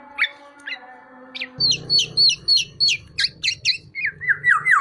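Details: Tame black-naped oriole in lively voice, giving a string of sharp, high squeaky notes about four a second, each slurring downward. A low droning hum sits underneath.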